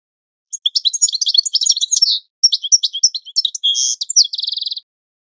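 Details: European goldfinch training song: rapid twittering phrases of high chirps and buzzy notes, then a fast even trill closing the strophe, against a clean silent background.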